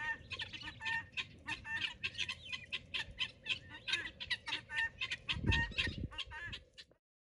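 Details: Excited pearl guineafowl, kept in a garden flock that eats insects, giving a long run of loud, harsh, rhythmic cackling notes repeated several times a second, birds calling together, a low thump near the end and a steady background hum.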